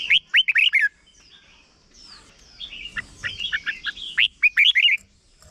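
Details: Red-whiskered bulbul from Thailand, kept caged, delivering a short doubled song meant for chicks to learn. A loud burst of rapid whistled notes, then a softer run of similar notes, then another loud burst near the end.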